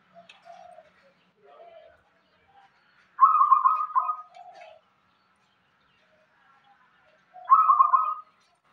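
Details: Local zebra dove from Indonesia giving its rhythmic song: soft low coos followed by a loud rolling trill-like phrase, repeated about four seconds later.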